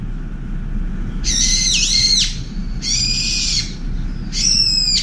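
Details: Brown-eared bulbul, chased from a window feeder by a wild pigeon, screams back to drive it away. Three loud rasping shrieks, the first dipping in pitch midway, separated by short pauses, over faint rumble.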